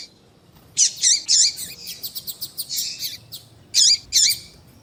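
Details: Double-collared seedeater warm-up recording of male song and female calls: a few loud high chirps, a rapid series of short ticking notes, then two more strong chirps.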